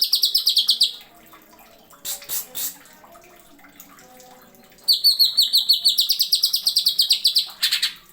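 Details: Cucak ijo, the greater green leafbird, used as a masteran tutor song, delivering long strings of fast, bright descending whistles, about three per second, with a short burst of harsher notes in between.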